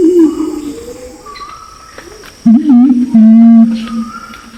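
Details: Pinon's imperial pigeon lure calls, male and female, Nabire, Papua, Indonesia: a low sliding hum fading away, then a sudden loud wavering deep note and a steady held tone, with faint high whistles from other birds.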